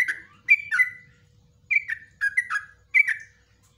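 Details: Yellow-vented bulbul song for tutoring caged birds, a few slurred, liquid notes falling in pitch, grouped in three short phrases with gaps between, faint low hum in the background.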